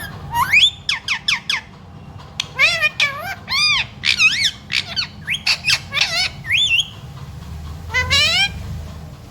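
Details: Pet parrot that talks, reportedly saying mummy, papa and sita ram; a rapid string of about fifteen short, clear syllables, some arched and some rising, in quick bursts over faint low background noise.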